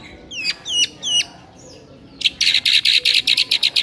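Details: White-rumped shama song meant to stir a sluggish shama into singing: three clear whistled notes that slide upward, a soft rising note, then a fast series of about ten bright buzzy pulses.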